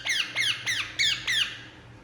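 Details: Five loud, harsh screeches from a relaxing Indian ringneck parakeet, each a sharp note sliding downward, spaced about a third of a second apart.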